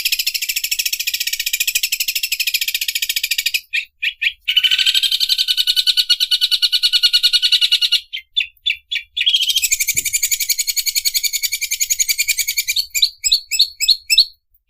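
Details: Greater green leafbird imitating an overlock sewing machine: long, dense, rapid buzzy rattling in high bands, broken by short gaps and a run of separate sharp chirps near the end.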